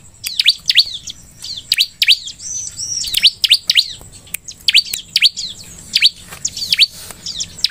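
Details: Bar-winged prinia (ciblek) song played as a lure to prompt other ciblek to sing: rapid series of sharp, high, down-slurred chirps, often paired, with short high trills between, continuing steadily throughout.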